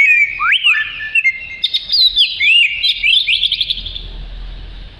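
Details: Oriental magpie-robin singing in lively 'gacor' style, offered as a tutor song for other birds: fast varied whistled phrases with rising and falling slurs and quick trills, dense and continuous, with a faint low rumble underneath.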